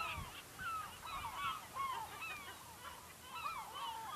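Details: Several gulls in the Lofoten, Norway, near a fishing village, give overlapping yelping cries that rise and fall in short slurs, with clearer drawn-out wails; a few low thumps sound underneath.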